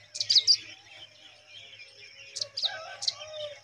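Pipit nestlings give thin, high, scratchy chirps in a quick cluster, then a few more spaced notes a second or two later, over a faint low hum.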